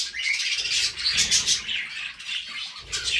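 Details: Budgerigar flock song: rapid, irregular high twittering with scratchy buzzes and a few clear whistled notes, packed densely with no gaps.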